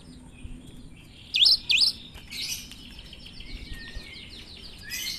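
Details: Cinereous tit with an odd, chatty song: a pair of loud, quick down-up whistled notes, then quieter buzzy twitters and chirps from nearby birds.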